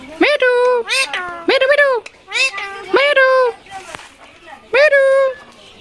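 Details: Pet rose-ringed parakeet talking, mimicking human speech: a run of short, voiced, speech-like syllables with rising and falling pitch, some drawn-out vowel-like notes, and brief gaps between phrases.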